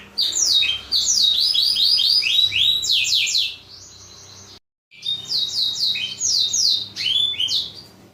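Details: Black-throated canary singing, a model song for tutoring canaries: rapid series of high, descending sweeping notes in fast trills, a brief silent break, then the trilled phrases resume.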